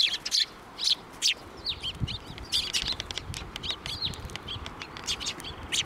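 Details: Flock of sparrows arriving for food at a Tenmangu shrine, April 2024: dense, bright chirping and tweeting, overlapping notes about once a second, with steady low background hum.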